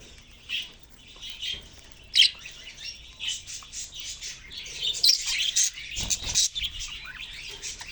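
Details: Caged budgerigars produce scratchy, high chirping that starts sparse and builds into a louder, crowded burst of squeaks and twitters.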